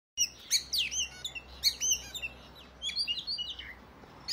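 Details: Oriental magpie-robin giving its loud fighting song, meant to provoke other males into display with the tail spread: a burst of sharp, varied whistled notes and quick slurs for about two seconds, a short pause, then further rapid chirped phrases.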